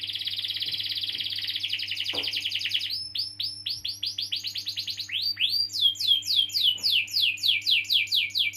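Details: Canary singing, played to prompt young or silent canaries into song: a long dense rolling trill at first, then quick repeated downward-sweeping whistled notes rising into higher rapid series, with a faint low steady hum underneath.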